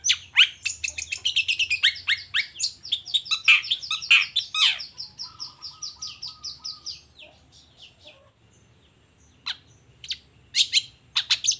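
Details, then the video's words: In the morning a long-tailed shrike sings lively, unloading its repertoire: a busy, fast cascade of high chirps and trilled notes, fading to a near-silent gap, then a few scattered sharp calls. "Suara Cendet Gacor Di Pagi Hari Toet Toet Bongkar Materi"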